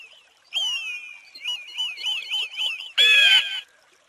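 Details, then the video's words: Eagle crying: a high, wavering, quavering whistle that rises and falls several times, ending in a loud, piercing, ringing scream about half a second long. "¡Escucha el grito del AGUILA!"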